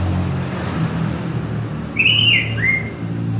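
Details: Chestnut-capped thrush song phrase: two clear whistled notes, the first rising and wavering, the second sliding downward, set against a loud steady low rumble.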